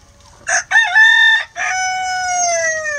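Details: Rhode Island Red rooster crowing in a coop among hens eating eggs: a loud harmonic crow of short opening notes, a strong middle note and a long, slowly falling drawn-out ending, with quiet low farmyard rumble beneath.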